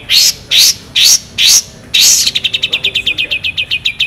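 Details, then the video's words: Long-tailed shrike in full song with mimicked fill-ins, used as a training recording: four harsh, rising, buzzy notes about every half second, then a fast, even run of short sharp chips, roughly six per second. "CENDET GACOR FULL ISIAN ASLI SULTAN LAGU MEWAH TEMBAKAN TAJAM PANJANG JERNIH"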